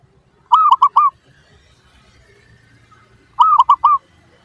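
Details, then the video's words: Zebra dove (perkutut) calling to provoke other doves into answering: two loud phrases of four clipped, rolling coo notes, about three seconds apart, with faint low hum between. "PANCINGAN Burung Perkutut Suara Paling Ampuh! Bikin Langsung Cepat Di Respons Pasti! Nyaut"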